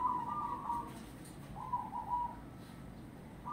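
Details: Wild local zebra dove in Grobogan cooing: a soft rolling phrase, a pause, then a second gentle trilled phrase, with the start of another at the end; faint background noise.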